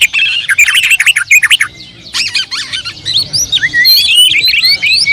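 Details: Oriental magpie-robin song opening with rapid chattering twitters, then a brief lull, followed by bright whistled slurs and quick high chirps in a lively, varied run.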